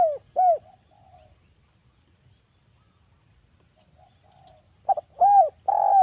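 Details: Javan spotted dove cooing as a lure for other doves: two brief low coos and faint trailing notes, a long quiet stretch, then a stuttered double note leading into fuller coos.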